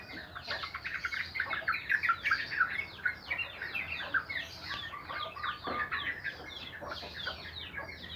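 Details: Sooty-headed bulbul singing in the morning: a dense, bubbly stream of quick chirps and short downslurred whistles, several voices overlapping and chattering without pause.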